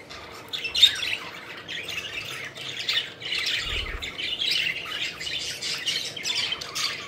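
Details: Playing pet budgerigars, rough squawking chatter repeated steadily across the clip with a few brief chirps and a short whistle early on.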